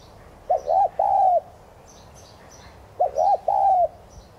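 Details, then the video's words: Two 'thúc gù' phrases from a spotted dove of subspecies tigrina kept as a decoy to excite other doves: each phrase is two quick low hooting notes and then a longer sustained coo, the phrases about two and a half seconds apart. "Chim cu gáy THÚC GÙ Giọng CỰC HAY kích bổi"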